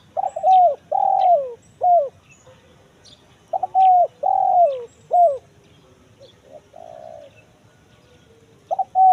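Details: Spotted dove lure recording in the kuk 1 mersik style, used to draw wild doves in forest: loud rounded coos in short phrases, each swelling then sliding down, with brief pauses and faint soft notes between.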